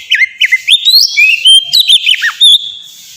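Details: Kacer, or Oriental magpie-robin, singing ngeplong-style as a training lure for young pet birds: a fast, varied run of clear whistles, rising and falling slurs and short chirps packed into about three seconds.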